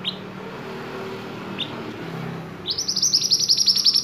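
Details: Two short high chips from a silver-eye, introduced as a lively master-song singer, are followed by a rapid, high, pulsing trill of evenly repeated notes lasting over a second.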